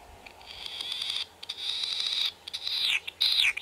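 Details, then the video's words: Latham's snipe (Gallinago hardwickii) recorded 28 May 2020, likely Hokkaido, giving harsh, rasping, high-pitched calls in long buzzy bursts, the last two ending in quick downward-sweeping notes. "オオジシギ 鳴き声"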